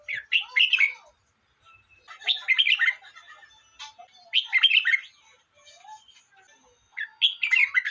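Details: Lively warbled phrases from a red-whiskered bulbul come in four bursts over eight seconds. Each is a rapid jumble of clear, chirpy notes, separated by quiet gaps with faint twittering.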